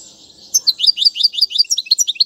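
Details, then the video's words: Royal goldfinch song for teaching young birds, featuring styles like tiwawati: after faint hiss, a steady sequence of clear, rising-and-falling chirped notes, roughly eight per second, sweet and liquid. "أفضل تغريد الحسون"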